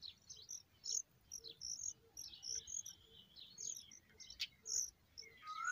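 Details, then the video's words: Familiar chat adults feeding hungry chicks, which beg with a jumble of thin, high squeaky chirps in irregular bursts, while a soft low tick repeats about once a second beneath them. "Familiar chat birds feeding hungry babies"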